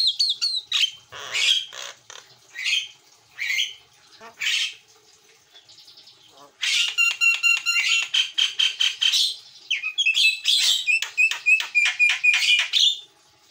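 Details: Javan myna (jalak kebo mata putih) singing actively for a master recording: spaced harsh squawks, a brief pause, then long dense runs of rapid mechanical clicks, rattles and whistles.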